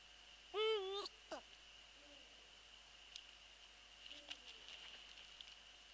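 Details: Eurasian eagle-owl calling near a nest at night, 22 February 2013 around 0:28, while the female is away from the nest: one loud, harsh, harmonic call lasting half a second, then two faint low hoots, over a steady high hiss.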